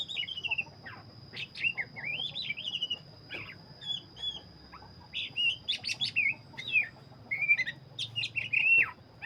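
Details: Loud, energetic song from a black-breasted Oriental magpie-robin: arching whistled phrases and rapid chirps in quick bursts, several sweeping notes that rise then fall, with a continuous high whine in the background.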